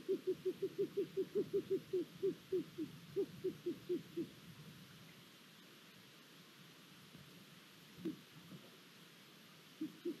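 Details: Long-eared owl nest in Hungary on 23 April 2022, the male bringing food and a chick newly hatched: a rapid train of low pulsed notes fades after four seconds into quiet, with a few isolated notes later.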